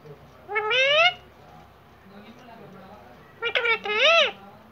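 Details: Indian ringneck parrot, an uncaged pet, speaking two short word-like phrases a few seconds apart. The second phrase is broken and choppy, with a low murmur between the phrases.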